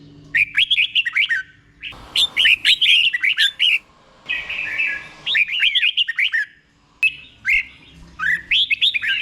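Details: Red-whiskered bulbul giving slow, distinct เบิ้ล doubled song for other caged bulbuls to copy; four or five bursts of quick, warbled, looping whistles, each set apart by short silences.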